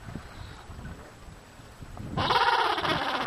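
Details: A Gentoo Penguin in Antarctica, relatively early in the morning as the penguins walk slowly, gives a loud, harsh, braying call that starts abruptly after about two seconds of low rumbling background noise.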